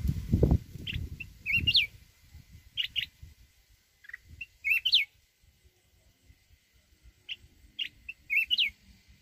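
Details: Mountain red-whiskered bulbul in wild-style song for rousing decoy birds: bright whistled phrases with rising, looping notes, repeated in bursts about every one to two seconds, with thumping knocks at the start and a faint steady hum.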